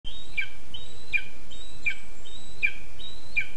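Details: Lesser spotted eagle chick demanding food at its nest in a spruce, Zemgale, Latvia, 20 August 2024: high, thin whistles, each sliding up then dropping sharply, repeated five times about every three-quarters of a second over steady background hiss.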